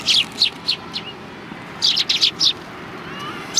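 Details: At a Tenmangu shrine on 16 January 2020, sparrows come to be fed, giving a few sharp, bright chirps: three spaced notes, a pause, then a quick cluster of four, and one final chirp.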